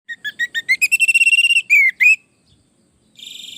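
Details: Orange-headed thrush in full, lively song, used as a master recording to lure other thrushes into answering: quick whistled notes speed up and climb in pitch, then two loud slurred whistles, then a short buzzy trill after a pause.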